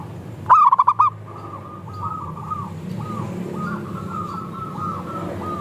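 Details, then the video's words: Local zebra dove singing, a lure meant to set other doves singing. It opens with a sharp run of five quick, bubbling coos, then several more distant doves keep up soft, repeated cooing. "Perkutut Lokal Gacor – Pancingan Ampuh Bikin Langsung Bunyi"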